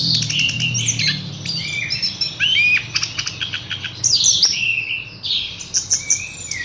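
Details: Horsfield's bush lark in a rich medley of sharp clicking notes, slurred whistles and sweeping trills, delivered rapidly with short gaps.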